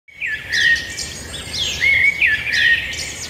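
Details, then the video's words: Birds singing outdoors: bright whistled phrases with sliding notes and high chirps, in bursts that come and go across a few seconds over a low steady background hum. "birds singing"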